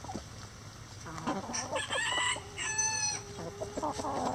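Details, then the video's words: Chicken coop rooster crowing: two strong crows in quick succession, each a bright, buzzy, harmonic call, with low steady clucks and murmurs from other chickens underneath. "Chicken Coop Relaxing Sounds Rooster Crowing"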